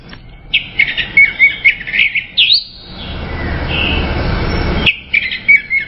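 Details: Orange-headed thrush song: a chattering string of rapid, slightly buzzy notes mixed with clear whistles, a pause filled with hiss, then the chatter resumes near the end.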